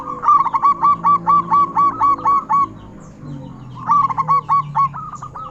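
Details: Local zebra dove with a loud, big voice, singing steadily and used to lure other zebra doves into song. Two bursts of quick, rolling cooing notes, about nine in the first and six in the second, over softer steady cooing in the background.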